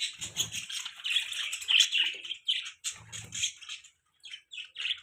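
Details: Budgerigar chirping: rapid, raspy high twittering that rises to a dense peak, then breaks into shorter separate chirps, with faint low fluttering or rustling between.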